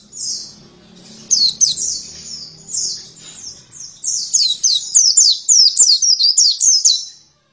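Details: Oriental white-eye: soft opening twitters over a faint low rumble, then a brisk, even series of bright, downslurred chirps repeated roughly three times per second.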